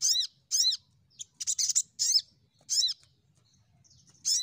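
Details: Crimson sunbird used as a lure for singing birds: a run of arched, harsh high notes with a short buzzy burst in the middle, loud and uneven in timing, against a soft low rumble.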